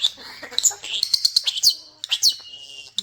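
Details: Pet common starling in a bird room mixing rapid clicks and chatter with loud high whistles, a quick repeated string of sharp notes, then a slurred whistle.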